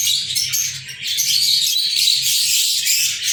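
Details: Kept lovebirds, 14 February 2023: a steady wall of high squeaky chirps from several birds at once, loud and continuous, with a soft low droning hum.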